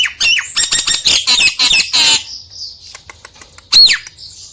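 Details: Nias hill myna song, played to provoke a lazy myna into singing. Two seconds of rapid, harsh, squawky notes, then a lull with faint ticks, and one loud arched whistle rising and falling near the end.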